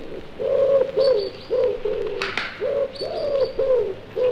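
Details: A wood pigeon in a British wood in February gives its territorial song, soft husky cooing in a steady rhythm of low hooted notes, with a sharp wing clap partway through.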